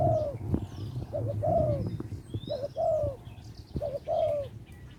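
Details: Small-voiced spotted dove calling a mate in Lopburi, Thailand. Its soft coo phrases repeat about every second, each a short paired note and a longer falling coo, while faint high bird chirps sound in the background.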